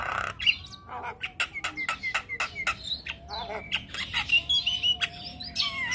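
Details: Young Javan myna in steady song, pouring out rasping squawks, clicks and thin whistled notes in an irregular stream without pause.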